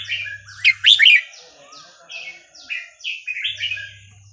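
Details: Red-whiskered bulbul singing a Burmese-type song for teaching young birds: a loud cluster of bright chirps early on, then a series of softer downslurred whistles spaced roughly half a second apart.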